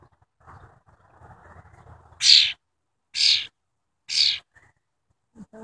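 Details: A tame wild cowbird gives three short, bright, high-pitched calls spaced about one second apart, preceded by a soft low murmur in the background.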